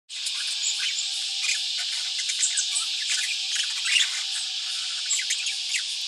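Young budgerigars chatter in a steady, high-pitched stream of overlapping chirps and cheeps.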